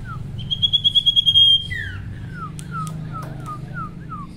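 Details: Male sirtu in full song meant to provoke rivals and lure other sirtu: a rapid high pulsed trill lasting about a second, followed by a run of short downslurred whistles over a low steady hum.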